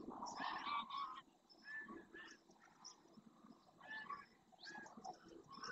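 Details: Greylag geese, a numerous wintering flock flying back to a marsh lagoon in Doñana National Park, Spain, early morning; a loud burst of layered honking, then scattered single nasal honks and faint high chirps.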